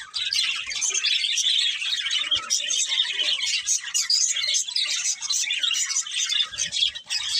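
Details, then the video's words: A pair of budgerigars chirping: a dense, continuous chatter of rapid high twittering and warbled notes with no pauses, filling the whole stretch. "Cute Budgies Chirping Sounds"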